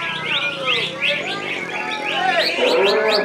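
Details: Greater green leafbird at a practice bird-song contest in Serasam Sekura, perched in one spot. Fast, tumbling chirps and rising whistled notes pour out continuously, with low murmuring voices underneath.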